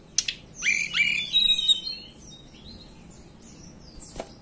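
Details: Hill blue flycatcher, a local bird native to the mountains of Banten and West Java, singing a quick string of high, bright whistled and trilled notes with sharp upward sweeps, a short burst ending in faint scattered chirps and a click.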